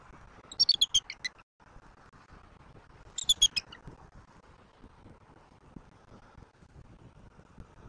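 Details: Bald eagle at its nest in Southwest Florida, filmed by a live nest camera on an evening in November 2024: two quick bursts of about five high, thin chittering notes, the first near the start and the second around three seconds, over a faint steady low rumble.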